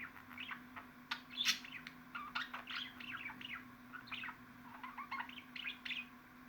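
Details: Budgerigar warbling in quick bursts of chirps and twittering notes, some rising and falling, with a loud sharp squeak near the start and a faint steady hum underneath.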